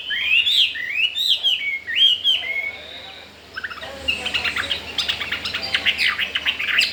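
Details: Newly arrived caged Chinese hwamei wanting to breed: three matching looped whistled phrases, a pause, then fast sharp repeated chips and trills.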